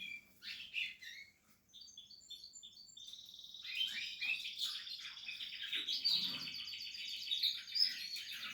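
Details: Canary nestlings of the Portuguese harlequin type giving a few short chirps, then a quick series of high ticking notes followed by a sustained shrill, wavering chorus of calls.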